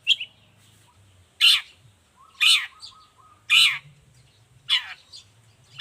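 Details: Long-tailed shrike recording meant to tutor and provoke other shrikes. Loud, harsh, raspy bursts come about once a second, with a faint low hum and a thin steady tone between them.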